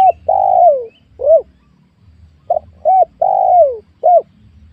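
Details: Spotted dove in a small oil palm plantation on new farmland, during an attempt to lure wild doves. Loud, close cooing: a long sliding coo and a short hoot, then a fresh phrase of clipped hoots and another long falling coo.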